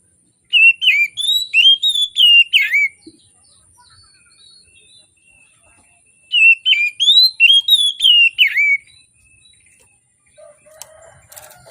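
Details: Morning song of an Oriental magpie-robin, played to prompt reluctant birds: two separate runs of quick, rich whistles rising and falling, each about two and a half seconds long, divided by a quiet gap, with a faint rustle near the end.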